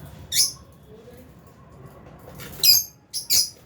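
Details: Albino and Fisher's lovebirds in an aviary giving sharp high chirps, one burst near the start and a cluster of three toward the end, with quiet background between.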